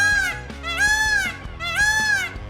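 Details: Indian peafowl: a peacock gives three loud, nasal, wailing screams about a second apart, each rising then falling, over low background music, heard during a backyard barbecue at friends' home where the birds are 'everywhere'.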